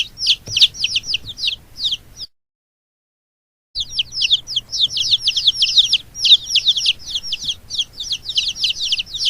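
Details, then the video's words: Chicken chicks peep continuously in high, shrill, downward-slurred notes, a busy overlapping chorus with a short silent gap partway through. "Funny Chick Sounds"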